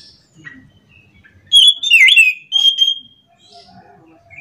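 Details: Orange-headed thrush (anis macan) singing in the morning: a loud one-second burst of sweeping whistles and chattering notes, followed by quieter scattered chirps.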